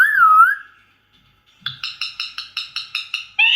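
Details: Wavy clear whistle from an Indian ringneck parrot, then after a pause an evenly spaced run of about nine short, harsh, ringing notes ending in a longer squawk.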